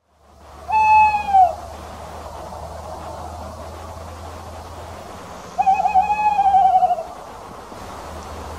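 A male Tawny Owl gives a long, steady hoot, then after a four-second pause a wavering, tremulous hoot, over a faint low hum.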